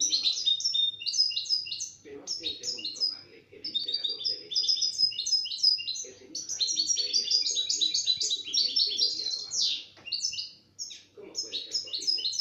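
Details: European goldfinch, recorded in 2017 after being taken out of its box, sings long rapid phrases of liquid twitters and ringing chips. The phrases come in bursts with brief pauses, over soft background conversation.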